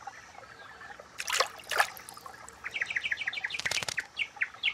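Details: Black paradise flycatcher chicks in the nest give rapid, thin, high chirps several times a second, after a few loud rustling bursts near the nest; finding: Japanese paradise flycatcher.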